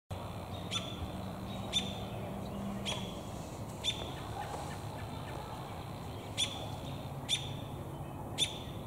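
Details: An American robin in a tree, its beak full of damselflies, gives short, sharp, high chirps, about seven in nine seconds at uneven intervals, over a steady low rumble of background noise.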